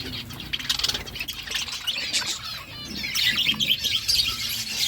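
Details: Budgerigars heard in the morning, a softer mix of quick high chirps and twittering warbles that grows busier toward the end, over a low background rumble.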